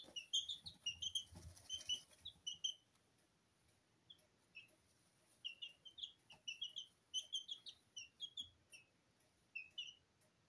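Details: Sablepoot bantam chicks, Porcelain and Lemon, two weeks old, peep softly in a kitchen while bathing in their feed. Clusters of short, high chirps alternate with pauses over a faint background hiss.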